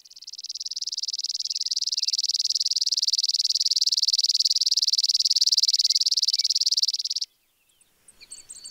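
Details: Spizella sparrow trilling a sustained, dry, insect-like string of rapid high pulses for about seven seconds. It builds gently in loudness, then ends sharply, with faint chirps afterward.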